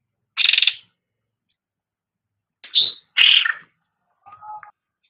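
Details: Cucak rante master recording for training caged songbirds: one scratchy buzzy burst, then a pause, then a rising note followed by a harsh rattling burst and a lower, softer warbled note.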